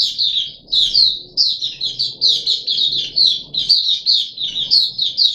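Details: On 14 July 2021 a caged Puff-backed bulbul, three days after deworming, pours out loud, high, slurred chirps in close succession, with a few brighter accented notes standing out.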